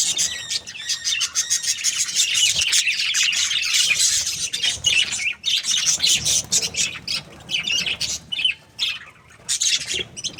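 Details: Budgerigars, a breeding pair described as happy, chirping continuously: dense, rapid, scratchy high chatter and squawks running almost without pause through the whole stretch.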